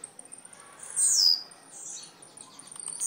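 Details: Blue-black grassquit from Jacarepaguá, Rio de Janeiro, Brazil: a single loud, high, sizzling note sliding downward, followed by faint ticks and quiet.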